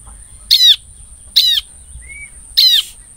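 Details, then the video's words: Bar-winged prinia call used as a lure to attract the same species: three loud, harmonic notes, each sweeping downward, spaced about a second apart, over a steady high-pitched electronic whine. "SUARA CIBLEK PALING SERING DI GUNAKAN DAN JITU UNTUK PANCINGAN CIBLEK"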